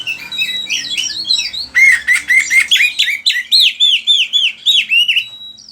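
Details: Vigorously singing oriental magpie-robin, recorded as tutor song for training other magpie-robins: a fast run of chirps, then a string of loud, evenly repeated whistled upslurs, about three or four each second, ending on a thin high tone.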